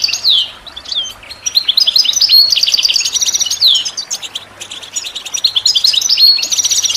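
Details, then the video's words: European goldfinch song, loud and close: rapid tinkling, twittering phrases of high chirps and buzzy trills, with quick sweeping notes and short pauses between bursts; no other sounds. "The finest goldfinch chirps and songs for listening and training birds"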